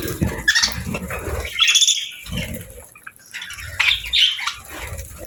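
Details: Happy pet budgerigars chirping: short harsh squawks and thin whistled notes in three clusters, separated by quieter gaps, over low background rumble.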